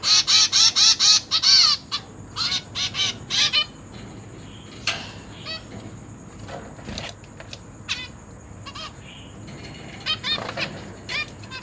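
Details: Caged zebra finch chicks being fed by parents; a quick burst of about eight buzzy harmonic begging calls at the start, then quieter scattered chirps and clicks.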